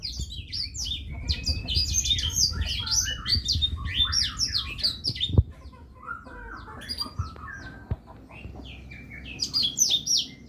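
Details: Blackthroat delivering a fast, varied twittering song of high chirps and trills, pausing briefly midway before resuming with clear slurred whistles, over a low hum with occasional sharp clicks.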